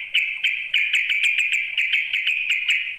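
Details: A continuous stream of rapid, bubbly notes from a sooty-headed bulbul calling a rival, with about four sharp accents each second at an even, bright pitch.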